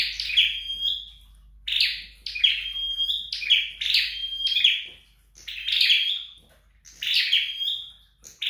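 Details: A flowerpecker trained at home gives spaced phrases of scratchy chirps that trail into short level whistles, roughly every second, with quiet gaps between groups.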